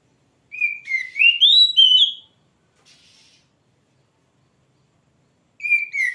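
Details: Oriental magpie-robin (kacer) singing loudly, a rich whistled phrase of slurred notes rising and falling between high pitches, with a short faint buzz after, then a new phrase starting near the end.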